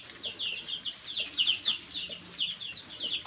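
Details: A group of young chickens peeping, with quick falling high notes repeated several times a second in an uneven, busy chorus over soft hiss.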